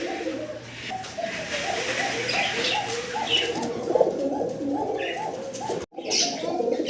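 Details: Domestic pigeon from a running breeding pair, with the female behind, coos in low, throaty, rolling notes repeated over and over at a pigeon seller's farm; Domestic pigeon.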